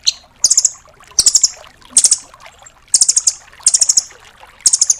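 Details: Training recording of a velvet-fronted nuthatch (rambatan paruh merah) for cage songbirds such as magpie-robins: loud, very high, rapid stuttering trills in short bursts, repeated roughly every second, with quiet pauses between.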